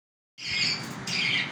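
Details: A budgerigar offered cucumber soft food gives a harsh, scratchy squawk in two bursts, with a brief break between them.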